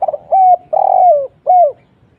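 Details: Kuk 1 lure call of a spotted dove: short stuttering notes lead into a steady hollow coo, then a long buzzy coo that drops in pitch, and a final brief falling note.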